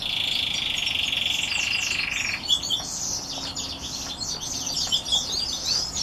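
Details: Song of red grey wing canaries: a dense, buzzy rolled trill running for over two seconds, breaking into a lively jumble of quick high chirps, twitters and short slurred notes.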